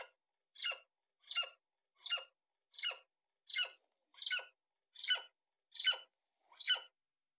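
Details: Series of nine steady, strident yelps from a golden eagle, one roughly every 0.7 seconds. Each note is hoarse and ringing with layered overtones, and the background is quiet.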